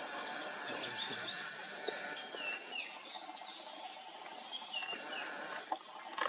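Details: Dark-fronted babblers in India: a burst of high, rapid twittering chirps lasting about two seconds, then fading to faint scattered notes over steady background hiss.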